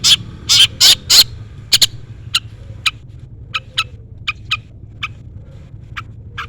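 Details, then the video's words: Long-tailed shrike, recorded as a lure to provoke rivals, opens with four loud rasping notes, then trails off into thinner, softer chips spaced about half a second apart over a low background hum. "pancingan cendet gacor full isian CUITAN MEMANGGIL LAWAN"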